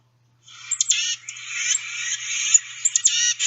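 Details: Tufted Titmouse giving its 'tiska-say-say-say' call, like the chickadee-dee call but much raspier: a few sharp high notes leading into a run of hoarse, buzzy scolding notes.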